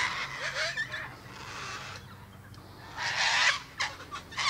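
A cockatoo gives harsh, raspy screeches in two bursts, a long rough outburst, a pause, then shorter grating cries, over a faint low hum.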